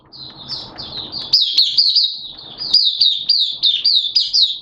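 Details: White-eye kept for song, 11 September 2022, wet erratic weather; thin high warbling rises into a fast, dense stream of slurred twittering notes, about four per second.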